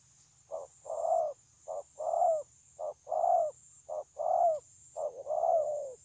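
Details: Spotted dove song, recorded 9 June 2020: five evenly spaced pairs, each a brief clipped note then a fuller rolling coo, about one pair per second, with a steady high hiss throughout.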